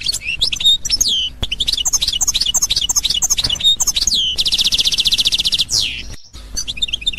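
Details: Goldfinch, European, singing the authentic Constantine style: a run of hooked, falling chirps repeated quickly, then a sustained buzzy rattling trill lasting over a second, a falling slur and short chirps.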